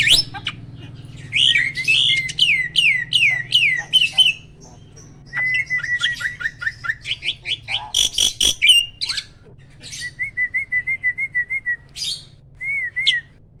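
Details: Prize-winning caged starling known for loud rapid bursts and melodious singing: a series of down-slurred whistles, a fast chattering train, sharp cracks, then gentle wavering whistles.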